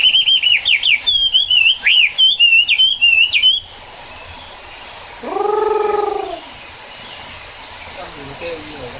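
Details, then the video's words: Chinese hwamei singing in the rain: fast, fluting whistled phrases with sharp up-and-down slides for nearly four seconds. After a pause comes one drawn-out, lower, nasal call. "Họa mi hót trong mưa"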